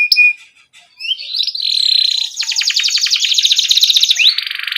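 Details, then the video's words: Domestic canary in gacor rolling ngerol song, a tutor lure for young canaries, with cuit cuit chirps: scattered high chips and a rising slur lead into a sustained buzzy warble, then a rapid pulsing roll ending in a sweeping trill. "Pancingan Kenari Gacor NGEROL Cuit CUIT Rekomendasi buat MASTERAN Kenari PAUD agar Cepat BUNYI"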